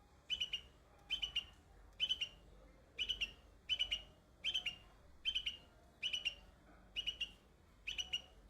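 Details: Young bulbul singing on white blossoms, with evenly spaced bursts of three rapid high chirps repeating about once a second over a quiet low background hum.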